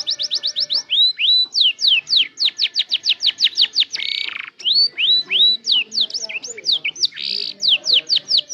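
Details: A young canary just beginning to learn its song sings a fast run of bright, high, sweeping notes, about three per second, broken by brief buzzy rattles and upslurred whistles. The recording is used as a lure to prompt other canaries.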